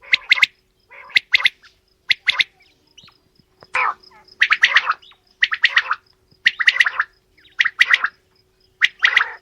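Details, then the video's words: Male and female quail calling together: short, harsh, rasping bursts alternate with clipped double notes, about one phrase a second. "Female Batair Calling | Male Batair Sounds | Mix Calling| Batair Ki Awaz | Batair Ki lambi Awazay|"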